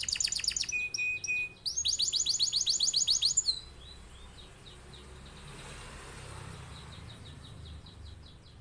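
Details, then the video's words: Canary singing a long rolling song used as a master to teach other birds: fast, evenly repeated high trilled notes in two loud runs for about three and a half seconds, then fainter distant trills over soft background hiss. "Kenari gacor cocok buat pancingan atau masteran burung"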